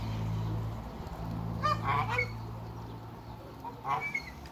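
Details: African geese, a mature couple in a backyard, utter a short burst of harsh, harmonic honks, then a pause and one more honk, over a steady low hum.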